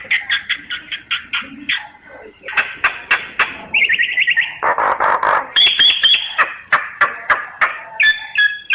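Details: Common myna delivering quick repeated chirps, a buzzing trill, rough broadband churrs and sharp clicks, with clear whistled notes appearing near the end.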